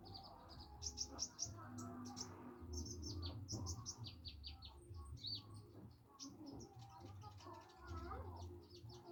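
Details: Practising juvenile olive-backed sunbird, still shy: bursts of sharp high chirps and thin twitters, busiest at the start and middle, then scattered softer notes, with a faint low hum throughout.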